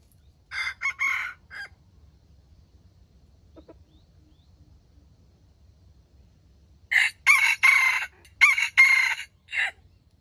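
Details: Wild junglefowl crowing, used as trap bait to lure wild chickens: two rasping, harsh crows broken into several bursts, one near the start and a longer one after a quiet gap of several seconds.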